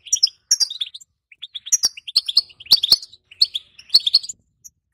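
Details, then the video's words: Female European goldfinch calling betbeta mixed with setseta, intended to rouse quiet males and prepare them for mating: high, bright twitters in loose groups, punctuated by several sharp clicks. "بتبته مع ستسته حسون اسطورية لتحفيز وتهيج الحسون الصامت وتجهيز الحسون على التزاوج"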